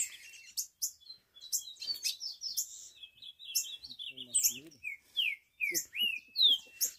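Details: Caged green-winged saltator being heated up against a rival bird, singing loudly; irregular clear whistled slurs and rising-falling notes, with brief human speech in the middle.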